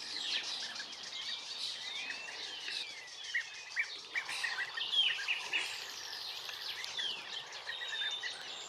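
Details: Several short, slurred, upward-sweeping notes from European bee-eaters in Extremadura, scattered through a dense chorus of chirping birds with constant high insect-like background noise.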